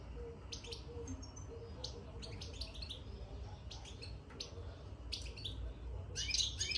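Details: Newly caged European goldfinch twitters with clusters of sharp, bright notes, bursts irregularly spaced and ending in a louder, denser flurry, over a low steady rumble.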